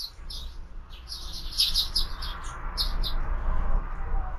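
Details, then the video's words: Several sparrows at a feeder during an afternoon feeding, giving short, bright chirps in quick irregular bursts, some clustered in rapid runs, over a steady low rumble of background noise. "Воробьи в кормушке"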